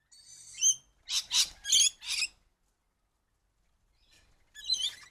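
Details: Cockatoo coming to a tree for food after dark gives a quick run of four or five loud, raspy, broadband squawks. A pause follows, then one more harsh squawk.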